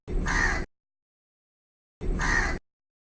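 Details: A crow in a tree gives two coarse, hoarse caws spaced about two seconds apart, followed by silence.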